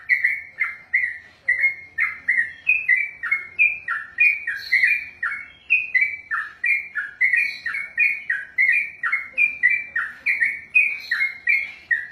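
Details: Long ropel song from a kept sooty-headed bulbul trained for contests: roughly forty rich, liquid chirps poured out nonstop over twelve seconds, each note swooping down and up, pace steady and lively.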